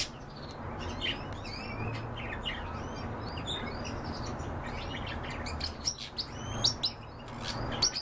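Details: European bee-eaters calling: many short, rolling, arched chirps overlap in quick, irregular series over a steady background hiss.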